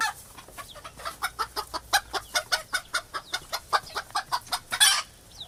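A hen clucks in a quick, steady run of short, throaty notes, ending in a louder squawk.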